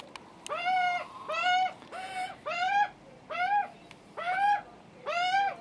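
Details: Hungry juvenile Australian magpies screaming for food on their first visit, with a nervous adult male nearby; harsh harmonic rising-falling screeches repeated about once a second, each roughly half a second long, in a quiet setting.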